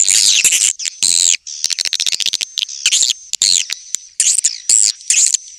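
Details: Swiftlet courtship calling, original version: loud high chattering phrases broken by quick clicking runs, repeated in bursts of roughly half a second.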